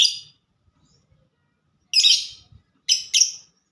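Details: Lovebird, presented as a ngetik-singing fighter, giving three harsh, scratchy high chirps separated by pauses, with faint low handling noise between them.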